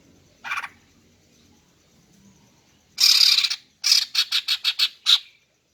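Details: Female greater green leafbird calling to lure males: a short buzzy note, a longer harsh rasp, then a fast run of about seven clipped scratchy notes.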